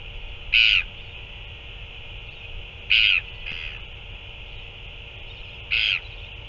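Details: Northern royal albatross at a feeding on 9 February 2024, an adult feeding a chick: three short, harsh, buzzy calls, each about a third of a second, spaced roughly two to three seconds apart, with a faint echo note and constant background hiss.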